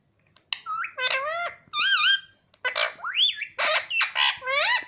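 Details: Indoor talking parrot delivering a rapid stream of bent, harmonic, voice-like syllables with wavering pitch, about a dozen in five seconds, in a quiet room.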